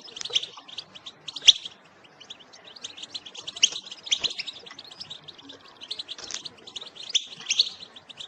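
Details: Goldfinch batbata, a lure recording for trapping: continuous liquid high twittering with quick tinkling notes and occasional louder sharp accents, running without a break.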